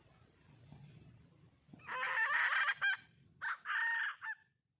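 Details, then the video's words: Red junglefowl hen calling for a mate: after low rumbling background, a loud harsh harmonic call with a drawn-out middle, a short note, then a second shorter harsh phrase ending in a clipped note. "suab poj qaib quas zoo"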